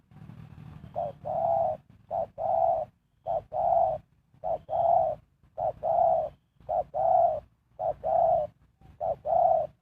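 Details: Decoy spotted dove for catching wild birds, cooing rhythmically, each phrase a clipped note and a longer mellow tone, repeated about once a second over a light background rumble.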